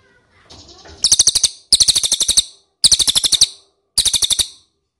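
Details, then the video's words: Four short, clipped volleys of high, sharp ticking notes from an ashy tailorbird, used as a lure so birds will answer, each volley about half a second with brief pauses between. "PANCINGAN CILILIN DIJAMIN NYAHUT"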